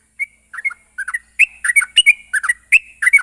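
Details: Sooty-headed bulbul lure for making young birds sing: a single thin whistle, then short pairs of mellow notes building into a faster, fuller chattering string of rising and falling whistles.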